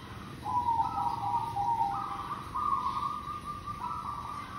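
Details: Local zebra dove, possibly a female, used as a lure bird, coos a soft, steady string of stepped, mellow notes that rise and fall slightly over a faint low background rumble.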